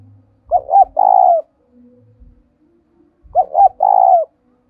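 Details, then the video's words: Spotted dove used as a decoy to stir wild doves into cooing, giving two phrases of two quick soft coos followed by a long throaty coo, about three seconds apart, over a low background hum. "Anh em hãy mở tiếng cu mồi thúc bổi này bảo đảm bổi nghe gáy luân"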